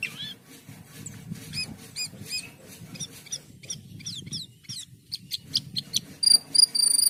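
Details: Asian pied starling song of looping squeaky notes, rapid rising sweeps and a closing series of loud high sustained whistles, over a constant low rumble.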